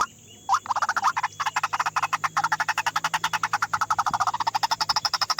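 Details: White-breasted waterhen giving a fast, dense run of harsh croaking notes around the middle range, pulsing several times a second without pause after a brief quiet start.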